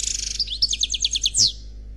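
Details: European goldfinch, an unpaired male singing khalwi-style song: dense, high, liquid twittering with quick repeated notes and a final rising buzzy flourish.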